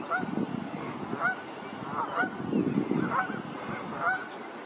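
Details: Flock of brant geese recorded at Sainte-Catherine, 1 May 2023, giving throaty, rasping honks repeated roughly every half second to second, several birds calling over one another in a steady low gabble.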